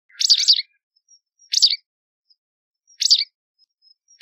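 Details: Motacilla alba calling: a loud doubled buzzy chirp, followed by two single sharp chirps about 1.5 seconds apart, with faint soft ticks in between.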